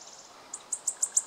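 Wood warbler: a thin, very high hiss followed by five sharp, high ticking notes, each about a sixth of a second apart.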